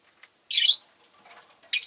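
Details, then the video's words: Two loud, rasping, high chirps from pet rosy-faced lovebirds, which were fairly vocal that day. Faint soft chatter fills the gap between them. "Lovebird Chirping Sounds"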